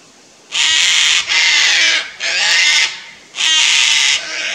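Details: After a brief quiet moment, four loud raspy screams from a pair of Sulphur-crested Cockatoos reacting to a Lace Monitor near their nest on the Fraser Coast, Queensland, Australia.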